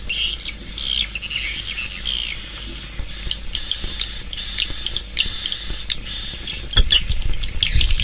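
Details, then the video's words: Swiftlets in a steady stream of high twittering chirps, overlapping calls from several birds, with a few sharp clicks and knocks near the end. "Suara Walet"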